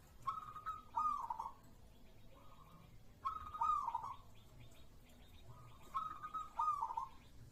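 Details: Local zebra dove (perkutut) song: three repeated phrases about every three seconds, each a level cooing note dropping into a rippling trill. Faint higher chirps of other birds are in the background.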